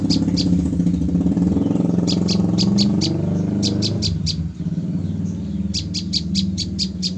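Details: Female olive-backed tailorbird, trapped three days before, calling in clusters of quick, high, clipped notes separated by short pauses, over loud low rumbling traffic noise.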